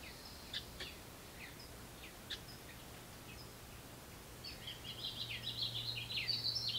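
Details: Growing house wren chicks in a birdbox beg for food from a parent. A few scattered thin chirps come first, then an abrupt loud, shrill, buzzy chatter bursts out over a low steady hum.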